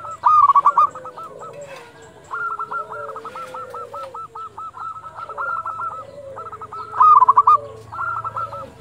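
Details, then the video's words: Local zebra dove at dusk, used to rouse and train quiet doves: repeated phrases of rapid, rolling coos, one long rattling series in the middle and louder bursts at start and end, with softer cooing in between. "perkutut lokal gacor panggilan waktu senja"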